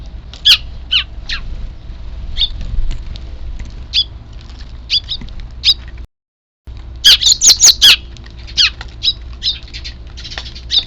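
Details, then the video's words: Chicks of sparrows calling on 3 April 2024 ahead of an evening feeding; scattered high chirps, then a dense burst of rapid shrill calls after a short gap, trailing into softer chirping. "ヒナ特有の鳴き声が聴こえたので 夕ご飯投入"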